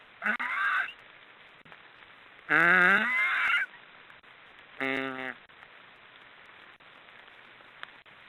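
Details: Loud snoring of black storks: a short squeal, then a longer hoarse, rising, harmonic rasp, and a final brief buzzy nasal note, with quiet pauses between.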